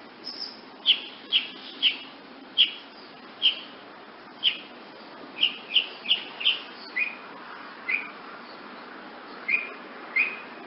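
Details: Wood nymph hummingbird repeating sharp, high, single chip notes roughly every half second to second, some slightly lower and softer, over a faint steady background hiss.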